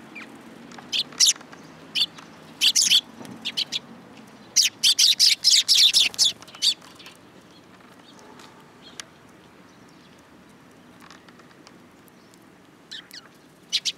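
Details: Juvenile sparrows perched on a hand at a Tenmangu shrine, Japan, July 2022, give bursts of high, sharp chirping. A dense run of rapid chirps comes in the middle, then the calling thins out to occasional single notes.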